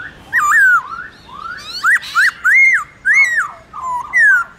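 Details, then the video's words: Trained Black-throated laughingthrush singing forest-style morning song: a lively string of loud whistled phrases, each arching up and down, delivered in quick bursts with short pauses between. "Khướu bạc má hót đấu giọng rừng buổi sáng"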